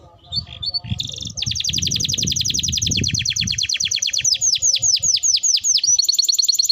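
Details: Canary song used as a training recording for other birds: rapid trilled phrases of repeated high notes, then a run of sweeping downward slurred notes repeated about twice a second, bright and loud throughout.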